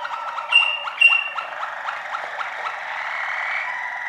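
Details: Waterslager canary song: a series of quick rising chirped notes about two per second, sliding into a sustained watery, rolling tone held at the end.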